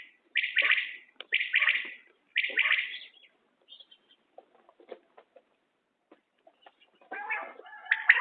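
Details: Three loud, clipped triple-note calls of a common quail in quick succession, then faint rustling and scattered ticks before another call begins.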